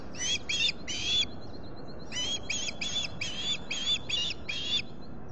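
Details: Osprey at the Salt Point nest, Finger Lakes, US, July 2021 morning: a quick pair of harsh whistled squawks, a short pause, then a steady string of seven more, evenly spaced.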